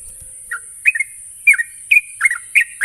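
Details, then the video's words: Lure song of a Sooty-headed bulbul for getting untrained birds to sing: after a brief silence, short slurred whistled notes, mostly in pairs and triplets, about every half second, against background hiss. "pancingan burung trucuk bahan agar cepat ngropel"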